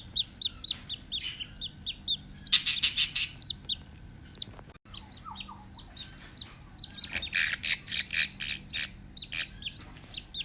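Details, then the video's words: Cheerful pet budgies giving rapid runs of short bright chirps, about three a second, broken by two louder dense bursts of chattering squawks and a brief quieter gap in the middle. "Happy Budgies Making Sounds || Happy Budgie Sounds"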